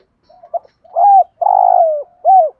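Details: Spotted dove cooing, a lure recording to excite wild birds: soft introductory notes, then an arched coo, a long vibrating buzzy coo sliding down, and a final rising-falling coo.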